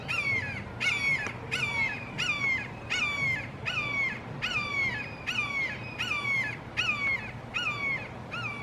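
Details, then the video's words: Red-shouldered hawks, three in a Florida backyard, calling long and loudly together; a steady unbroken series of about thirteen harsh descending kee-ah screams, evenly spaced about two-thirds of a second apart, with low background rumble. "Amazing Sounds of Red Shouldered Hawks Calling"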